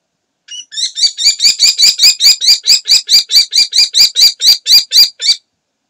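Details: Common kestrel at a nest site on 26 June 2020, the day the last young fledged at 6:30 am, giving a fast series of about twenty shrill, harsh 'kee-kee-kee' notes, roughly four per second, steady in pitch, in a quiet background.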